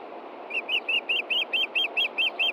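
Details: Osprey at a Montana nest on an evening in June 2013, the male looking for a fish the female hid after feeding the chicks: about ten clear, whistled chirps in an even rapid series over a steady background hiss.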